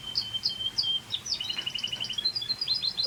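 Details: Scotch Fancy canary singing a quick string of high, sharp chirps and twitters that runs into a fast series of repeated notes, forming a bright, continuous trill.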